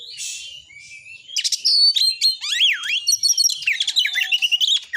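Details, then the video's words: Oriental magpie-robin singing vigorously, used to provoke other males to sing and fight; rich varied song of sweeping whistles, a looping slurred phrase, and rapid chattering trills, opening with soft breathy notes. "TEMBAKAN BURUNG KACER GACOR FULL MATERI .AMPUH BUAT NAIKAN EMOSI KACER, langsung gacor tarung"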